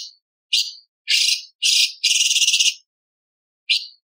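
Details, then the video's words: A light-vented bulbul (cucak cungkok), in a recording used as a master tutor for other songbirds, gives five short, high, buzzy chattering bursts, one a longer rattling trill, with brief pauses between them; no other sounds. "CUCAK CUNGKOK ISTIMEWA"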